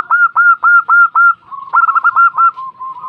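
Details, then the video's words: Female local zebra dove, described as having a sharp, sighing voice and used as a lure call that other doves answer. Rapid bursts of short, clipped notes, about four per second, in two runs with a brief pause between. "PERKUTUT BETINA SUARA PEDAS SEKALI MENDESAH PERKUTUT SETERAS NYAHUT SEMUA"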